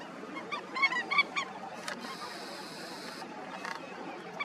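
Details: Indian skimmers at a breeding colony give a quick run of nasal, barking yelps early on, then a long hissing noise and scattered fainter calls from the flock.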